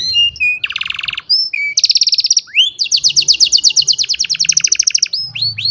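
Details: Old canary in full song on a sunny morning: varied tours, a buzzy low roll, a fast bright trill, a long rapid rolling passage and closing rising whistles.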